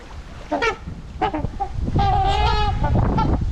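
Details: Trumpeter swans in a winter flock on the Huron River, Ann Arbor, Michigan, February, gathered for corn; a few nasal honks, then a longer drawn-out horn call, over low rumbling wind and water noise.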